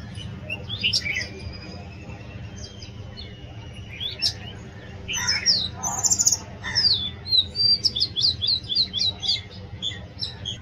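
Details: Oriental magpie-robin singing a loud, varied song of clear whistles, sharp upslurred notes and a fast series of short repeated chips in the final seconds, with a steady low hum underneath.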